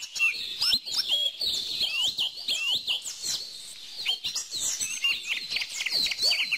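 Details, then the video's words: Several birds sing together in a busy chorus of sharp high tweets, looping whistled notes and brief trills, one phrase tumbling into the next without pause. "bird song"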